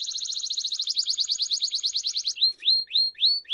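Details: Belgian crested canary giving a rapid even high trill for over two seconds, then slower rising upslurred whistles spaced about half a second apart.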